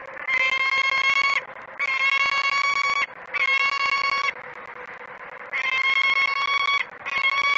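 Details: Female peregrine falcon on the perch scolding the male as he arrives at the nestbox without food, Great Spirit Bluff, early morning of 28 February 2017: loud harsh wailing notes in long bursts over a second each, repeated with short gaps.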